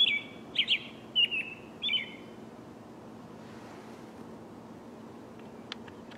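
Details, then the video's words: American robin in the morning giving four short whistled song phrases in quick succession at the start, then quiet background hiss with a faint click near the end. "Suara Kicauan Burung American Robin di Pagi Hari"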